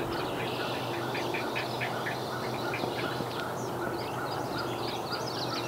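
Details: Great Blue Heron babies in north-central Massachusetts, New England, calling to parents bringing fish to the nest; bursts of harsh, clattering notes in uneven runs, with a constant low hum underneath.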